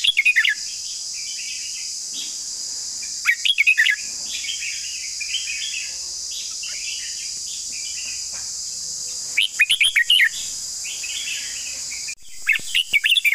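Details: Red-whiskered bulbul in long song, repeating bursts of quick, loud whistled notes at intervals, with quieter warbling bird notes in between and a persistent high buzzing background.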